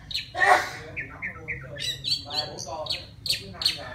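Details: Singing wild white-rumped shama calling a mate, mixing a harsh loud squawk with short slurred whistles and a stuttering series of clipped, bright notes repeated about twice a second.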